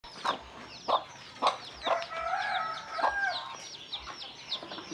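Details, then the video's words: Mother hen making low 'kuk kuk' clucks to call her chicks to come and eat, spaced roughly every half second to a second, over a busy chorus of high, descending cheeps from many chicks. "เสียงแม่ไก่ดังกุกๆเรียกลุกมากินเหยือ/Tiếng gà mái"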